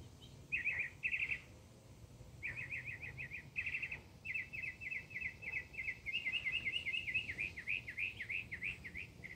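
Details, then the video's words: Mockingbird song imitating other sounds, with short bursts of chattering notes breaking into long rapid trills and quick repeated phrases that grow higher toward the end, above a low steady background hum. "Mockingbird serenade"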